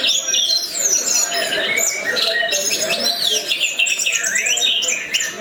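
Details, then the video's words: Orange-headed thrush singing continuously in the 'gacor teler' manner: varied whistled phrases, sweeping upward and downward slurs and short trills packed closely together over five seconds. "ANIS MERAH TELER JUARA"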